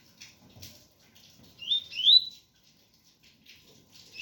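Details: Rain patters steadily while a double-collared seedeater gives two short rising whistled slurs in the tui-tui style, with the start of a third at the end.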